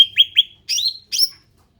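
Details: Ruby-throated bulbul, described as endemic, giving a short burst of song: two quick upswept whistled notes followed by two louder buzzy, slurred phrases, high-pitched and clean against a quiet background.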